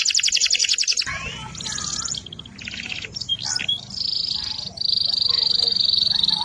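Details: AFS-type canary in full song: bursts of rapid high trills broken by short gaps and sweeping whistles, then a long steady high buzzy trill, with some low background noise and faint voices.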